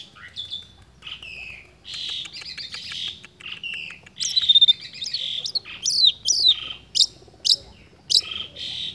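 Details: Long-tailed shrike in full song, imitating other birds' sounds in a steady, unbroken sequence: varied whistles and harsh chattering phrases, then sharp high downslurred notes repeated about every half second toward the end.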